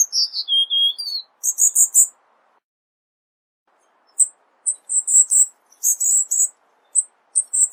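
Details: Cuban bullfinch with dense 'tembakan rapat' masteran song: a falling whistled phrase and quick high chirp bursts, a pause of about two seconds, then irregular sharp high notes returning in clusters over faint background hiss.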